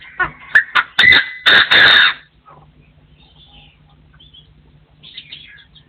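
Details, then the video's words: Partridge crowing: a burst of sharp, clipped notes rising into loud, harsh, rattling calls during the first two seconds, then near silence broken by faint distant chirps. "The latest sound of partridges in 2024 crowing"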